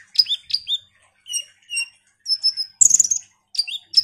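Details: Ruby-cheeked sunbird singing busily in a lure recording aimed at other sunbirds: falling high whistles, paired thin notes, and a burst of shrill chirping in quick succession.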